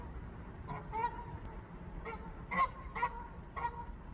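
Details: A newly arrived goose in a rooftop garden in Canada, seeking a nesting place, honks and wiggles its neck to call its mate; about five short nasal honks, spaced unevenly over four seconds, with a low background hum.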